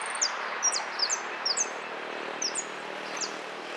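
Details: Goldfinch singing: thin, high, sharply down-slurred notes given singly or in quick pairs at irregular intervals, over a steady background hiss.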